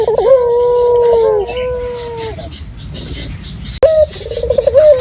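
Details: Local puter dove, used as a lure, gives one long, level, mellow coo. A quiet noisy pause follows before a new rolling, tremulous phrase begins. Faint background hiss is heard throughout.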